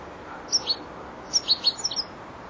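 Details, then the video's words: European goldfinch aged four months, still learning its song, gives two sharp high notes, then a rapid string of clipped tinkling chirps over a faint hiss. "jilguero el estudiante rematando"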